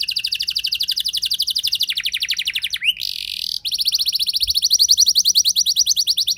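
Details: Canary in continuous rolling song played to spur other canaries: long, rapid trills of high repeated notes broken by a short harsh buzzy burst, then the steady trill returns louder.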